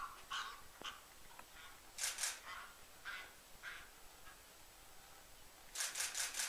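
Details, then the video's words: Cape Barren geese mating, the male very rough with the female, at Coolart Homestead Wetlands, Victoria, 11 September 2015: short, harsh, irregular honking grunts broken twice by loud hissing, rushing bursts, with a faint background hum. "Cape Barren Goose "Cereopsis novaehollandiae" - Mating"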